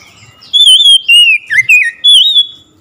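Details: Oriental magpie-robin bursting into loud song on hearing another magpie-robin: clear whistled, warbling phrases that slur up and down, delivered in four quick strong bursts over about two seconds, with no other sounds.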